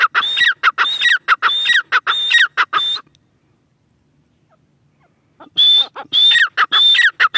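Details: Grey francolin, called teetar, giving loud harsh repeated notes in rapid series, each with a rising then level whistled tone, in two bursts separated by about two seconds of silence.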